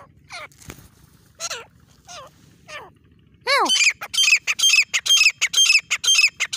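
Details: Grey francolin in jungle, filmed by a partridge hunter: faint descending notes at first, then a sudden loud rapid series of harsh, ringing squawks repeated about twice a second to the end.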